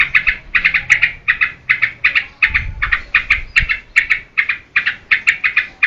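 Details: Yellow-vented bulbul (trucukan) in lively song for training caged birds as lure and master; evenly paced pairs and triplets of bubbly notes, roughly two groups a second, with a faint low thud midway.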